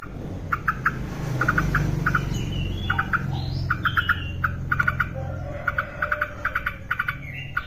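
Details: Yellow-vented bulbul singing actively, recorded as training material for caged birds. Short bright bubbly notes come in quick clusters of two to four, with gaps between them, over a steady low rumble.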